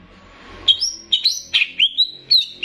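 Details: Greater green leafbird of the Banyuwangi type, in a mixed master recording with bebeci for training. Lively string of loud whistled notes, some leaping high and holding, others sliding up, about three per second, over faint hiss.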